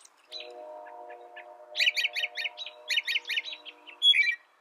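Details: Faint soft notes open the recording over a low steady hum, then an American robin bursts into a quick string of rich, repeated slurred phrases, ending on a louder whistled note.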